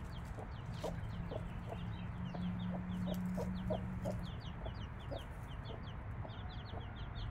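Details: Hen clucking softly and rhythmically, roughly three clucks a second, amid a continuous chorus of high descending peeps from her five-day-old chicks; a droning low hum runs beneath.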